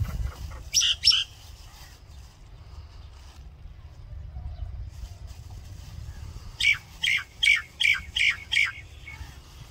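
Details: A Common myna (Acridotheres tristis) sings a pair of harsh, chattering notes, then a run of six loud, evenly spaced squawky whistles, over a low background rumble throughout.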